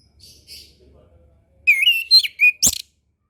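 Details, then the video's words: Song of an orange-headed thrush, played to prompt birds slow to sing: faint soft chirps, then a loud phrase of level and bending whistles, ending in a sharp click. "MASTERAN SUARA ANIS KEMBANG KHUSUS UNTUK ANIS KEMBANG BARU BELAJAR BUNYI"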